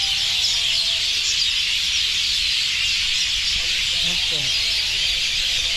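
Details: Dense chirping chorus of many roosting birds over ground whitened by their droppings. Constant high twittering throughout, with a faint human voice briefly audible beneath it near the end.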